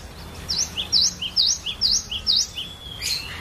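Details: Cinereous tit, a collection bird, giving a varied lure song to encourage other birds to sing: five crisp high V-shaped whistles each followed by a lower slurred note, evenly spaced, ending in a harsher burst.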